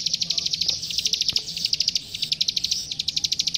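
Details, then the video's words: Prinia, called klik klik locally, in a master recording used to train young songbirds: fast, dry, high ticking notes in continuous rattling bursts of roughly ten per second, with a faint low hum beneath. "Suara Masteran Burung Klik Klik Gacor"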